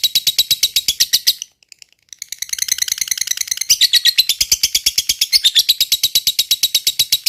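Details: Fighter lovebird singing ngekek panjang: a harsh chattering burst, a pause of under a second, then a long rapid series of buzzy, metallic notes at a steady rate of about three per second.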